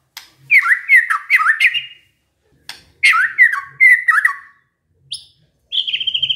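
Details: Kept white-rumped shama mimicking canary song: repeated looping whistled phrases, then a short high note and a sustained rapid trill at the end.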